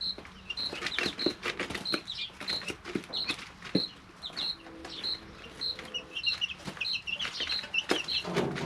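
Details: Three-week-old domestic chicks in a brooder give evenly spaced piping peeps, later a few quick twittering notes, against a background of tapping beaks and a faint low hum.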